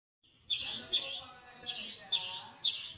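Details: European greenfinch giving harsh, wheezy begging bursts, five in three seconds at an uneven pace, high-pitched and buzzy, as it asks a canary to feed it.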